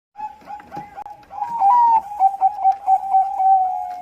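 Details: Bangkok-type zebra dove singing a lure song to draw other doves into song: soft cooing notes, then a rolling series of quick, bubbling, stuttered coos on one steady pitch with a brief rising trill.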